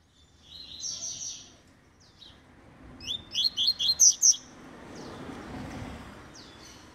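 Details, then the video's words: An eight-month-old double-collared seedeater sings tui tui (vibro) phrases: a brief high warble, a pause, then a run of five or six sharp, high notes, with soft background noise. "COLEIRO TUI TUI (VIBRO) 8 MESES DE VIDA"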